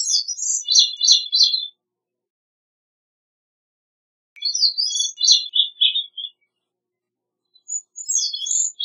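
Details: Gray-cheeked thrush, Catharus minimus, sings three separated phrases, each a thin, high, wiry jumble of notes drifting downward, spaced by silences of two to three seconds.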